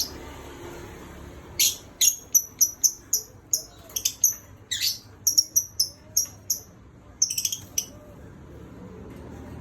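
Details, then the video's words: Pet lovebird whistling nonstop, a long series of very high, sharp chirps roughly every quarter second, with short pauses between the groups. "Love Bird nya bersiul terus"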